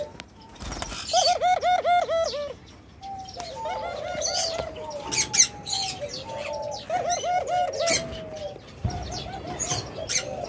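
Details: Orange pearl colour ring-necked dove giving a fast run of about a dozen arched, rolling notes with bright harmonics for just over a second, then softer murmurs, while small birds chirp and twitter busily throughout.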